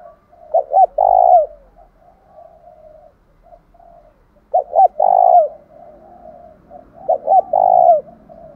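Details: Spotted dove decoy calling to rouse captive doves into a cooing contest; three phrases, each of two short notes and a long mellow coo, spaced roughly three seconds apart, with soft background cooing.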